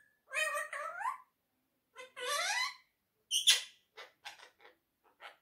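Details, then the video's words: Quaker parrot (monk parakeet) talking, giving harmonic speech-like phrases with gliding tones, a sharp squeaky note, then a string of short clipped syllables that fade out. "quaker Talking parrot || speaking so lovely"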